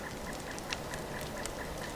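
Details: On a first-snow winter hike in woods with fresh woodpecker holes, a Pileated Woodpecker calls a faint, steady series of mid-pitched 'wuk' notes, about four a second, over soft crunching and tapping sounds nearby.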